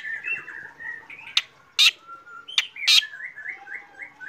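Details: Black drongo in the morning giving soft wavering whistles with a few loud, abrupt harsh notes in between, ending in a series of short rising whistled notes.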